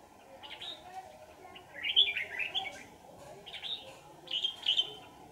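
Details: Red-whiskered bulbul singing during trapping, the bird later let go; four bright bubbly warbled phrases, each about half a second to a second long, spaced roughly a second apart, over a constant faint hum.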